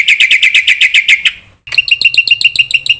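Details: Lively black-winged myna song used as a lure to rile other mynas: a rapid string of bright, ringing chirps, a short pause, then another quick run of high notes.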